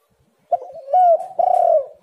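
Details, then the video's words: Spotted dove giving a single short phrase on a lure recording for doves: a soft stutter, then a clear coo and a longer, slightly trembling coo that falls away. "tekukur super gacor"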